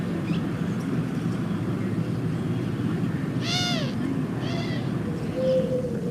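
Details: A Eurasian Collared-Dove, an invasive species in Nebraska, gives two brief, harsh, nasal arching calls that the speaker likens to a crow, then a faint whistled note, over a steady low rumble and soft music.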